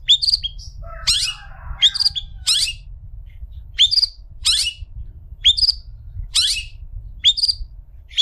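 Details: Long-tailed shrike song for tutoring other shrikes. Short, squeaky, upslurred whistles and scratchy buzzes come at irregular intervals, with a soft warbled passage near the start. Quiet low hum throughout.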